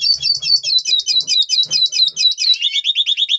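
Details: Breeding-mood song of a Double Pastel red siskin before breeding, November 2023: rapid, evenly repeated high chirping notes, shifting near the end to a run of slightly lower, rising notes.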